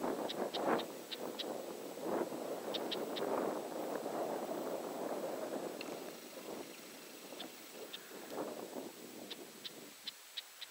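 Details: A Red-backed shrike, agitated and waving its tail, gives short, hard ticking alarm notes in quick, irregular bursts over a steady rumble of wind or distant traffic.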